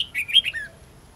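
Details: Red-whiskered bulbul in wild-style song, used to train young bulbuls: a quick, liquid sequence of four or five bright chirped notes ending in a longer downward slur, then near silence.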